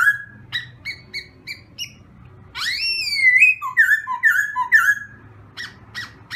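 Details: Black-throated laughingthrush in morning voice training: a series of short, spaced chip notes, a long upsweeping whistle, then a quick run of alternating whistled notes and a few clicks.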